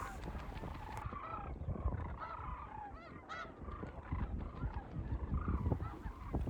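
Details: A flock of wintering sandhill cranes at Whitewater Draw wetland in the Arizona high desert gives excited, overlapping rolling, trumpeting calls as they fly in to land, under steady low wind rumble.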